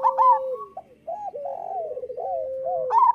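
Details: Local zebra dove singing, used as master song to train lazy or molting doves to sing: a loud bright opening note, then a run of trilled, wavering coos, closing with another loud note.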